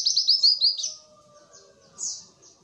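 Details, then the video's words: White-eye singing a fast, high, twittering run of sweet notes for about a second, then softer chirps over a faint hum; a lure recording used to stimulate reluctant captive white-eyes to sing. "pancingan pleci malas bunyi"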